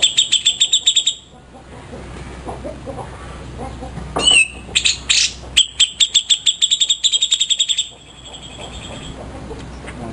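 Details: ['Grey-cheeked bulbul, a favourite master bird: quick bright ticking, a pause, then a rising whistle and several loud notes. Another long fast run of pinging ticks ends it over a steady low hum.']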